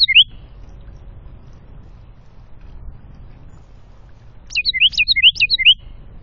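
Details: Afternoon song of a wren near bird feeders by woodland and a creek in the North Georgia foothills, NW of Atlanta: a clipped note at the start, then after a quiet gap a fast burst of about six bright, sliding whistles.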